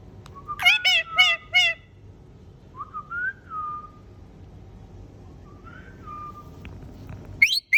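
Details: Talking green ringneck parrot kept as a pet; a burst of three loud rasping notes, then soft rising and falling whistles, ending with a sharp squawk.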